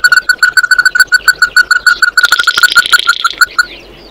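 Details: Oriental white-eye calling the flock with a fast, regular string of clear notes, over three per second, joined midway by a grating buzzy chatter before fading out.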